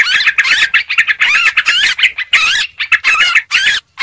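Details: Busy Sooty-headed bulbul chatter used as a lure: quick, rasping phrases of looping notes packed closely, each burst lasting a fraction of a second.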